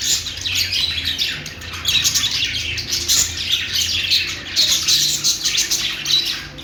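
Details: Budgerigar warbling: crowded scratchy chirps and short squawks pour out without a break, with low background hum.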